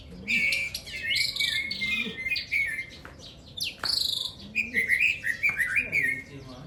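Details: Caged Aceh white-rumped shama singing in a bird-singing contest in Aceh: loud whistled phrases, rising and falling, with sharp upward sweeps and rich warbles, broken by short pauses; lower soft notes and other birds behind.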